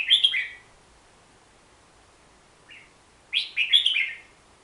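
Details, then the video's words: Hook-billed bulbul, found in Borneo's forests, singing a short warbled phrase, a soft single note after two seconds, then a louder run of three bubbly slurred notes. "Suara Kicauan Si Merbah Jambul"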